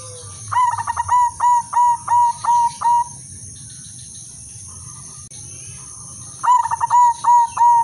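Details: Silver-coloured female zebra dove used as a breeding-condition lure, delivering a run of short, even, ringing coos after a brief stuttered start, roughly eight notes in three seconds, then silence and a second phrase beginning; faint background hiss throughout.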